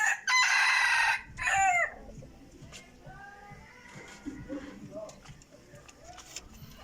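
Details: Decoy rooster, praised for crowing very well, gives a loud harsh crow of about one and a half seconds in two bursts, then quiet background with faint distant sounds.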